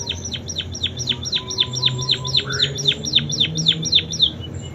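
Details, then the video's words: Munia singing with canary song imitations: a steady series of sharp, high, down-slurred notes, about four per second, over a low background hum. "Burung PIPIT Full isian KENARI"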